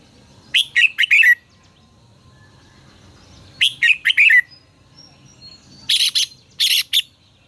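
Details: Caged red-whiskered bulbul singing for voice training: a repeated phrase of four bright, slurred whistles, sung twice, then harsher buzzy clipped notes reaching higher, over quiet background.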